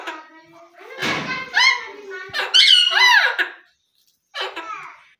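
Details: A talking rose-ringed parakeet saying words such as mitthu miya and betaa: clear speech-like harmonic phrases with sliding inflections, a loud call rising at the end, then a short pause and a final brief phrase, indoors.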